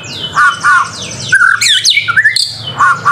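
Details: White-rumped shama singing as a training recording, with varied whistled phrases, downward-sweeping high notes, low warbled notes and squawky chatters delivered in quick bursts with short pauses.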